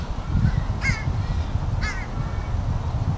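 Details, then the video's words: Two drawn-out, downslurred gull cries about a second apart ring out over a constant low roar. Seagulls and black-headed gulls are yelling, captured on a Rode Stereo VideoMic. "Loud Bird Sounds, Seagulls Yelling"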